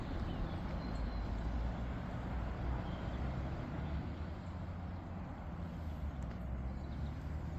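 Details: Constant broadband roar of traffic and wind outdoors, with no animal voices.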